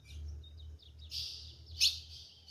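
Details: A female ultramarine grosbeak calling in the Brazilian sertão caatinga gives high, thin chirps and short twittering notes, with a couple of sharper, buzzy calls; a faint low hum underneath.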